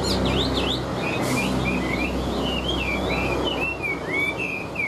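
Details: Chinese hwamei, a large caged songbird said to sing well, starting with fast zigzag whistles and then settling into a steady chain of short, rich whistled slurs over a low hum.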